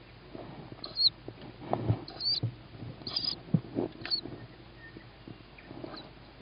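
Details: Feeding of a young tawny owl after it hears its mother, evening of 21 May 2017; several short high rising squeaks over about six seconds, with rustling, clicks and soft bumps throughout.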